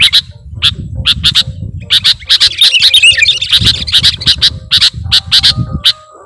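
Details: Kutilang, sooty-headed bulbul, luring sound: rapid stream of rasping chips building into a dense jumble of squeaky twittering notes over a constant low rumble.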